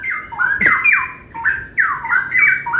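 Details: Several adult Straw-headed Bulbuls with red eyes, settled and in full song at a bird-market shop in West Jakarta, give loud, rich, bubbling phrases of sliding whistles tumbling down and up in quick succession, with a faint hum in the background.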